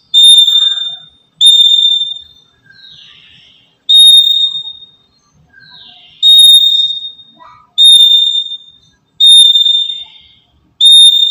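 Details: A black-capped lory, a daily active bird used as a trapping lure, sounds long, pure, level whistles that fade at the end. They come at uneven gaps, with softer slurred notes and faint chatter between.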